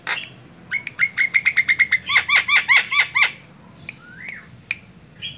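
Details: Javan myna with white eyes calling as a lure for other birds: a rapid string of about fifteen sharp chirps, the later ones dropping in pitch, then a rising whistle and a few isolated clicks.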